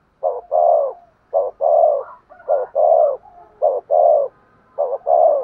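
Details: Spotted dove giving vigorous 'thúc gù' cooing: low, hollow coos in a steady run, each phrase a short note followed by a longer, falling coo, repeated about once a second with brief silent gaps.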